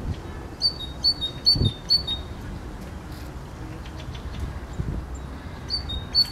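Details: Great tit in song: two-note high-low phrases repeated rapidly for about two seconds, a pause, then the same see-sawing phrase starts again; faint low rumbling in the background.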